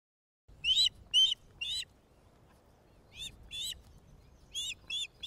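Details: Resident osprey pair at their nest on Loch of the Lowes Wildlife Reserve, Scotland, May 2009 breeding season; male returns with a fish as female feeds first chick. High, sharp whistled chirps in short clusters, three quick notes, pause, then more, over quiet background.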